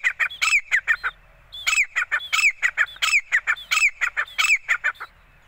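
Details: Female grey francolin (desi or gora teeter), a hand-trained bird, calling: loud, harsh, rising notes given in quick bursts of three to four, with brief pauses between phrases and no other sounds.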